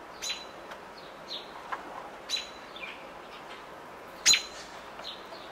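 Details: American robin nestlings on nesting day 19, 27 May 2018, being fed by a parent: thin, high chirps in scattered bursts every second or so, with one louder squeak near the end over a quiet hiss.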